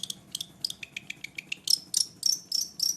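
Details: Long-tailed shrike from East Java singing actively with a song full of mimicked fillings: quick high chips and short sharp notes, then a run of bright, evenly spaced whistled strokes, with faint low background hum.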